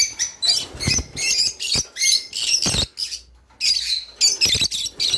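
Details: Song of a Java sparrow, used to encourage breeding: quick runs of chips and tinkling notes in short phrases, a silent pause near the middle, with low knocking sounds.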